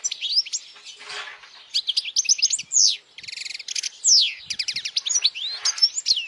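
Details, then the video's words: European goldfinch singing loudly, meant for young goldfinches to learn and to lure females: busy twittering with slurred whistles, buzzy rattled trills and sharp chirps running throughout. "Jilguero cantando fuerte para memorización los jilgueros /Goldfinch singing the best chirping sounds"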